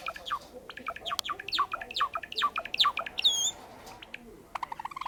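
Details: Caged sakura Java sparrow warming up its song with a fast series of short, downward-slurred chirps, a brief high whistle, then scattered softer notes against a quiet room background.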